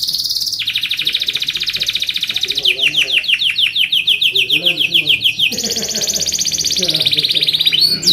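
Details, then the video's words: Long, vigorous canary song for tutoring and luring other canaries: a buzzy held trill, a run of rapid descending sweeps, then another bright, fast rolling trill, with faint lower chatter beneath. "kenari gacor panjang SUARA BURUNG KENARI ampuh buat MASTERAN KENARI & PANCINGAN KENARI"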